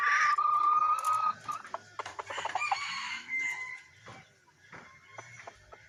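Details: F1 decoy rooster, recorded 19/12/2021, giving a loud drawn-out crow held on a steady tone for over a second, followed by shorter harsh crowing notes and clucks that fade into quieter background clatter.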